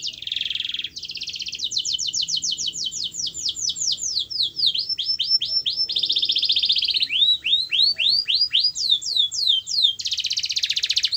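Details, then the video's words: Singing canary used to encourage a quiet bird to sing: buzzy opening roll, then a long even trill of fast repeated notes, followed by slower sweeping whistled notes and a buzzy finish; faint low background hum. "Kenari Anda MALAS BUNYI, Coba Putar Video Ini !!!"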